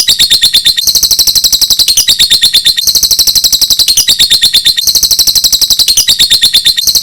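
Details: Lovebird sound offered for luring lovebirds: a high, rapid, buzzy chattering trill that runs almost unbroken, with brief breaks about every second and a half. No other sounds are heard.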